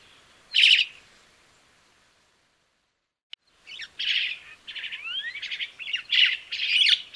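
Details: Crested myna song: a loud harsh burst, a pause of near silence, then a busy run of chattering notes, squeaky slurred whistles and rising glides, grating bursts repeated in quick succession.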